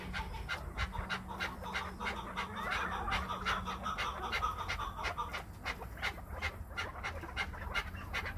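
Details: Captive Chukar partridge kept in Krasnoyarsk, calling as its owner urges it on: a fast run of short, dry clucking notes, about three each second, held fairly steady throughout over a low electrical hum.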